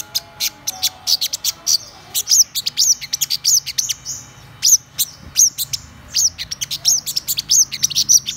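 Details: Black-throated sunbird, described as a top-class bird, singing high, thin, sharp chirps and short descending whistles in irregular bursts, with brief clicking notes between phrases.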